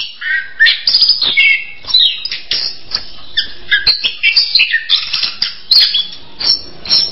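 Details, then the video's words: Orange-headed thrush song: a continuous, rapid stream of varied whistled and scratchy phrases, some slurred downward, others short and chattering, broken by sharp clicky notes, with no pauses and no other clear sounds. "SUARA ANIS KEMBANG"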